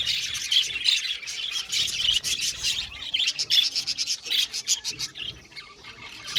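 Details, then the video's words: Many budgerigars kept in an aviary chirp together: quick high tweets and scratchy squeaks in bursts, thinning out toward the end into separate short chirps. "Beautiful Budgies chirping sound"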